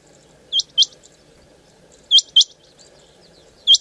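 Female rain quail giving sharp, high, metallic notes in quick pairs, each pair about a second and a half apart, over a faint low hum.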